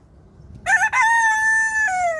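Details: Wyandotte rooster crowing loudly: a short harsh opening burst, then a long, steady, harmonic-rich held note that dips slightly lower at the end, with near-silent background.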